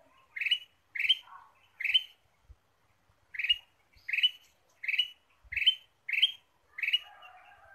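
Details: Ruby-throated bulbul lure sound: about eleven bright, rising chirps in quick succession, with a brief lower warbling note among them and a softer murmuring trail at the end.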